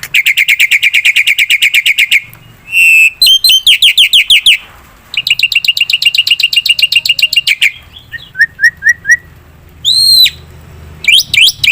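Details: Varied black-winged myna song used as a lure for other birds: fast harsh chatter alternating with rising and falling whistles, buzzy bursts, and clipped squeaky notes.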